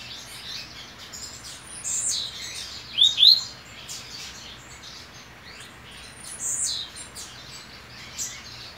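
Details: Caged double-collared seedeater resting before an important song competition, its mate nesting nearby; a few scattered high chips, then two quick upslurred whistled notes, followed by faint sparse chirps over a steady background hiss.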